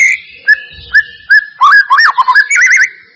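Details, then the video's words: White-rumped shama song played as a lure to get a quiet bird singing: a few clear evenly spaced whistles, then a burst of fast warbled, looping notes ending in a wavering whistled trill. "Pancingan murai batu mancet bunyi ‼️ pancingan murai batu males bunyi‼️respon cepat"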